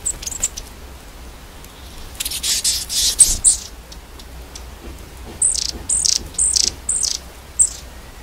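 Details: Winter flock of long-tailed tits squabbling over the best spot at a garden suet feeder in the UK; fluttery rustling bursts, then a run of thin, very high single notes about every half second.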